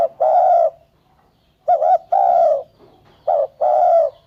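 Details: Cooing of a spotted dove, repeated phrases of a quick doubled note and then a drawn-out, slightly falling coo, about one phrase every one and a half seconds, quiet surroundings.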